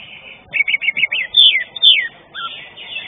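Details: Greater green leafbird singing at a bird song contest, 19 March 2022: a rapid run of harsh chirps, then loud up- and down-slurred whistles, over low background noise.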